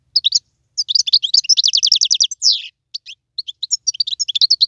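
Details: Wild European goldfinch singing a rapid, high twittering song of tinkling chirps and short trills, with brief pauses between phrases and a buzzy slurred note near the middle.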